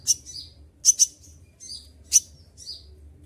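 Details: Kept olive-backed sunbird in full moult, feathers falling out, still singing hard in the sharp 'tembakan' style: high, thin chirps and short piercing bursts, a double note near one second, spaced irregularly over a faint low hum.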